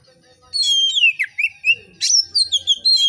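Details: Oriental magpie-robin in full, loud, relaxed song, meant to prompt other magpie-robins to sing. Varied whistled phrases dipping and rising, then a sharp burst and a run of clear descending whistles with brief pauses between notes.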